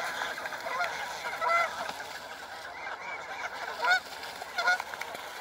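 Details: On the Rideau River between Hurst Marina and Kelly's Landing on 4 August, a noisy flock of Canada geese honks in loud nasal bursts as two fight in the water, biting beaks and wing-flapping, recorded from a safe distance.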